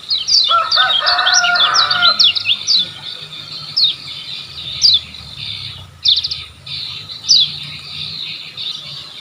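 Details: Lombok lemon-bellied white-eye song used to tutor caged birds that are slow to sing; a dense burst of fast, high chirping twitters, then scattered single sharp notes with pauses between them.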